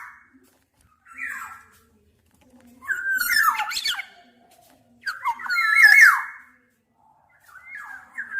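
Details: Black-naped oriole giving three separate phrases, each a fluty whistled glide that breaks into harsh, scratchy, buzzy notes, with short silent pauses between the phrases.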